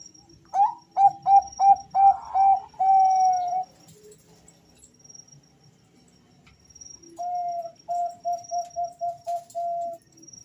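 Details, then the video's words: Bangkok zebra dove males answer each other with staccato rising notes that run into a sustained coo. After a quiet gap, a second even series of soft repeated notes follows, with a faint high steady tone behind. "Perkutut Bangkok gacor suara panggilan dua perkutut Jantan saling Bersahutan"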